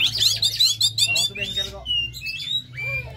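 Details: Oriental magpie-robin singing in an agitated, full-throated style, used as a lure to get other captive birds singing: a fast burst of sharp, repeated chirps gives way to separate clear whistled notes, some rising, some falling, over a steady low hum.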